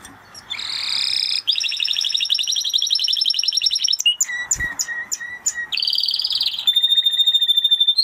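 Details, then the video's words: Spanish Timbrado canary song: a long rolled trill, then a few clipped notes spaced apart, another rich trill, and a final steady whistled tone held for over a second. "Canary Sound Effect - Canary Singing Video"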